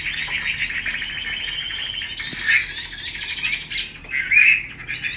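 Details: Caged hen Chinese hwamei giving 'xùy' and 'te dụ' calls used to stimulate males; a sustained buzzy rasp, then louder harsh bursts with a short whistled flourish near the end.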